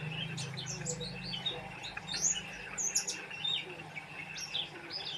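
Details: Oriental white-eye singing lively bursts of high, quick chirps and short slurred whistles, delivered in uneven clusters with short pauses, above a low humming background.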